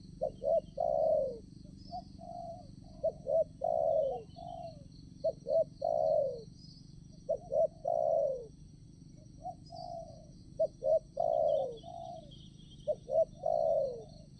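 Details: Spotted dove, wild, at a trapping site among petai, jengkol, coconut and durian trees in the morning, coos in soft low phrases: quick clipped notes ending in a longer rolling coo, repeated every two to three seconds over faint high insect hum.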